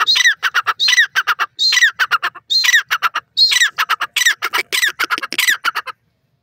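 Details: Loud, rasping francolin calls in a steady rhythm, each phrase a strained screech trailed by quick clipped syllables, repeated for about six seconds before the bird falls silent.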